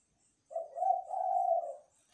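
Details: Zebra dove (derkukur) calling during the night, one smooth, drawn-out mellow coo held for over a second in a quiet setting, ending with a brief click.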